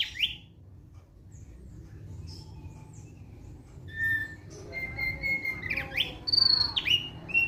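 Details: Thick-billed white-eye giving a relaxed song: sparse faint notes, then from four seconds clear whistled phrases with rising and falling slurs and short chirps, over a steady low hum.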